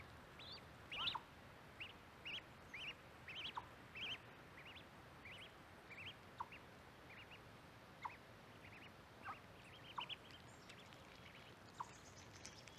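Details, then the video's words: Mallard ducklings recorded with a microphone placed by corn, giving a steady series of short, high, arched peeps, roughly two or three each second, over a faint background hiss. "Mallard duck calls, baby duck calls"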